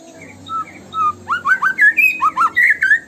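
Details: White-rumped shama in gacor tembakan-style song used as a lure to set other birds singing. A few soft whistles lead into a fast run of about ten bright, rising whistled upslurs, the notes climbing and tightening toward the end.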